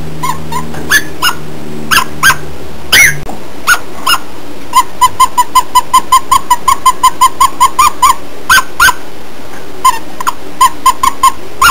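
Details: Pet cockatiel in a chattering mood: scattered short chirps, then a fast even series of clipped whistled notes, about one or two each second, with occasional sharper rising calls and a faint low hum early on.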